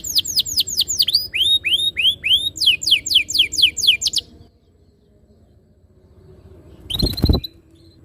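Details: Canary lure song for prompting canaries to sing: swooping, downward-curving whistled notes in quick succession for four seconds, then near silence and one short loud burst of notes.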